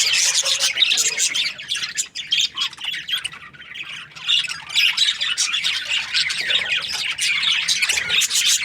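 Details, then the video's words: Breeding-season budgerigars from Australia chattering and squawking, bursts of rapid high chirps broken by a short quieter stretch midway before the flock chatter resumes. "Happy budgies chirping sounds |Australian budgies breeding season"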